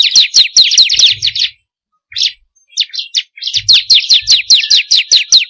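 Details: Bar-winged prinia song used to stimulate caged birds to sing: fast runs of high, slurred chipping notes, broken by a brief gap with a few scattered notes before another rapid series.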